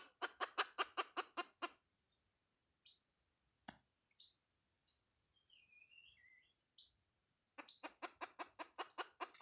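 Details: Chicken hen producing bursts of rapid harsh clucks at the start and end, separated by a quiet stretch with a few scattered chirps and a thin warbling whistle.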